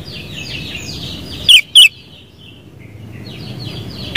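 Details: Sooty-headed bulbul with two quick, loud, bubbly notes and a third short note at the end. A continuous wash of thin chirps from other birds fills the background.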